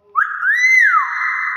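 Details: Common hill myna mimicking the greeting 'Asalamualaikum' amid people's greetings and praise. It gives one clear tonal voice that rises, arches, dips and then holds steady, with faint background music.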